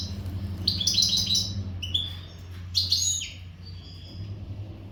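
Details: Untutored goldfinch of the Western type singing in breeding readiness, with clusters of quick, bright chirps and twitters, a sliding downward note, and softer thin whistles, over a noticeable low hum.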